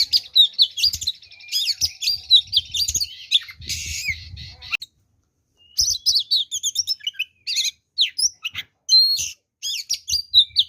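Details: Oriental magpie-robin in a full, varied fighting song meant to provoke other magpie-robins to aggression: rapid high whistles, harsh buzzy bursts and chattering notes, with a brief pause midway and faint low thumps.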